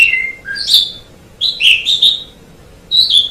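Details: Black-collared starling song made of separate loud phrases: a falling whistle, a short low note, a bright rising squeal, then a run of rich, fluty and scratchy notes, with quiet gaps between phrases.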